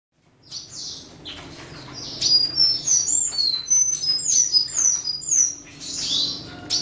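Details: Western citril singing to defend its territory: a fast, jumbled run of high, thin chirps and short whistled slurs, with some notes sliding down and others ringing sharply, coming in quick bursts after a brief quiet start.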